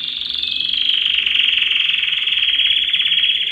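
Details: Yellow canary singing a long, continuous rolling trill held at a steady high pitch, slightly rising at the start, fast pulses throughout with no pauses.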